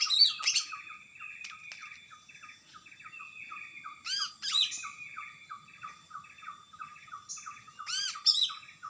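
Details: Greater green leafbird singing vigorously in the wild: loud bursts of sweeping, twisting high whistles set against a steady background series of short chirps repeated about three times a second, with a thin continuous insect-like whine.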